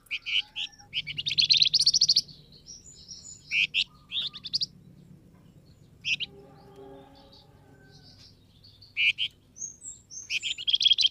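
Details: Flamboyan bird lure call aimed at wild birds. Repeated bursts of shrill, fast chirping are separated by pauses, with a faint low hum underneath.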